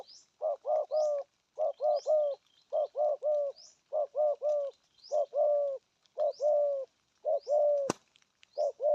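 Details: Spotted dove in 'gù thúc' coo, local voice style, cooing steadily in paired and tripled hollow notes, about eight groups evenly spaced, with thin rising whistles of another bird overhead and one sharp click.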